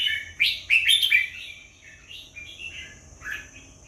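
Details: Red-whiskered bulbul singing: a burst of rich, bubbling warbled notes, then softer slurred phrases and a final short flourish, over a steady high-pitched whine.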